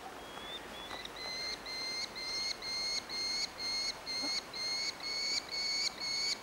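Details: Orphaned Merlin fledgling begging for food at Engerdal, Norway, on 4 July 2011: thin, high whistled notes, each briefly rising, repeated steadily about twice a second in a long even series, over faint background hiss.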